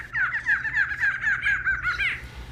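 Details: A Barred Antshrike, recorded in shrubs beside a radio studio in an urban area of Brazil, sings a run of about eight nasal, hooting notes that speed up slightly and end in a rising, emphatic flourish, over a faint low hum.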